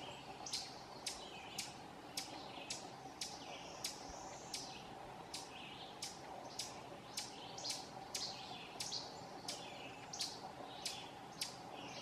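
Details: Ovenbird scolding at Silvio O. Conte National Fish and Wildlife Refuge, Essex County, Vermont, on 18 June 2016: sharp, dry chip notes repeated roughly twice a second in an uneven run, over a steady low background hum.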